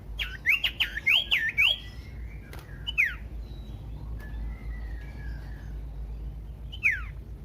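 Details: Common iora singing as a lure for other ioras: a fast run of sharp upslurred whistles, then scattered single notes after a quiet gap.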